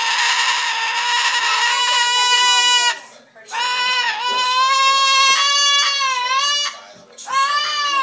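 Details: Household cockatoo greeting returning owners with squawks: a long rasping scream of about three seconds, then two more drawn-out squawks with wavering pitch after brief pauses, indoors.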